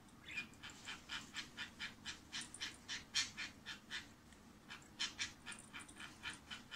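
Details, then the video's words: A female budgerigar, filmed secretly, gives a rapid run of short buzzy notes, about four a second, in a steady stuttering "bububu" with a faint low hum behind. "ブブブブブと鳴く インコ"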